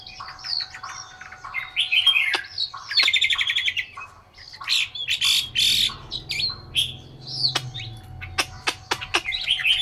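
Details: A captive Chinese hwamei kept in Hanoi, Vietnam, sings a loud, varied song of rich whistles, fast rattling trills and sharp chipped notes in quick bursts, over a faint steady hum.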